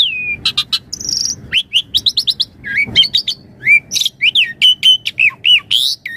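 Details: Javan pied starling in a lively chattering song with full variation: a dense, fast stream of varied sharp whistles, clicks and chirps, some rising or falling slurs, with a few longer buzzy notes mixed in.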